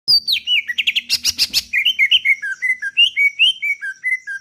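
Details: Greater green leafbird, a Kalimantan bird, singing loudly: rapid varied phrases with sharp buzzy notes, then a run of clear whistled notes that rise and fall, repeated about twice a second.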